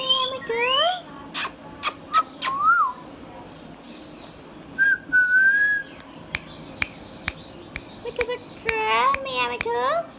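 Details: Hand-tame green Indian ringneck parakeet, a pet, mixing whistles and talking: rising whistled notes, sharp clicks and snaps, a long level whistle, then a burst of harmonic speech-like chatter.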